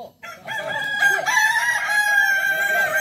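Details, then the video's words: Kukuak Balenggek rooster, a village chicken breed endemic to Tigo Lurah in Solok, West Sumatra, known for stepped crowing of 3 to 19 levels: one long, rich, harmonic crow that wavers slightly in pitch throughout. "Ayam kukuak balenggek"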